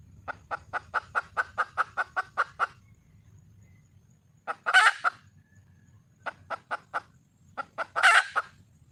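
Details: Red junglefowl hen in the wild, calling to attract a male, gives a long fast series of about twelve sharp clucks, a pause, then a loud raspy squawk, more clucks and a second squawk.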